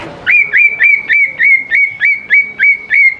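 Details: Greater green leafbird song played as a lure for young birds: ten clear, piercing whistles, each with a quick upward hook, repeated very regularly about three times a second in a clean recording.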